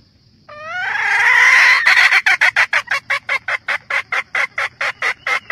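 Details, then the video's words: Red junglefowl hen calls for the rooster with a strident, rising, drawn cry that breaks into a long run of some twenty brisk, rhythmic cackles, about three or four each second. "Tiếng gà mái rừng gọi trống"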